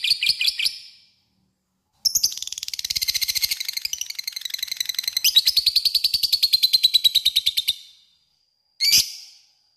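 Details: Lovebird giving its long 'ngekek' chatter, used as a lure to call a rival to answer; a brief burst, a pause, then a six-second run of rapid, harsh, evenly pulsed chattering notes, ending in a short final burst.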